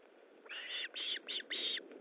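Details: Osprey at its nest during feeding, 19 July 2012 at 9:43: four loud whistled, slightly downslurred notes in quick succession, each about a third of a second long, over a steady background hiss.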